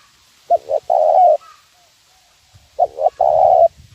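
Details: Lure call of a spotted dove in the 'nguku' style for teaching birds: a pair of short coos leading into a long sustained coo, given twice roughly two seconds apart, with a quiet rumble underneath.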